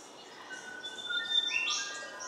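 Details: A lyrebird copying a flute, a song found across New England and the North Coast, gives pure flute-like whistles: a few sustained notes stepping between pitches, soft against background hiss.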